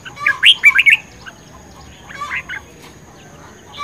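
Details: Fired-up red-whiskered bulbul in a singing contest, recorded 10 May 2020: a loud burst of four or five sharp, rolling whistled notes, then a softer, shorter warbled phrase about a second later and quiet chirps.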